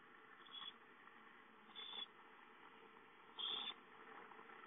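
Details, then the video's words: Begging owlets calling for food at their home nest, dated 5-9-13: three breathy screeches spaced over a few seconds, the final one longest and loudest, against faint steady noise. "Owlets have fun playing at home, Chicka calls for food"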